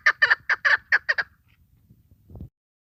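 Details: Female chukar partridge call of the kind used to draw birds in for hunting: a short burst of seven harsh clucking notes in just over a second, then quiet with low rumbling and a soft thump.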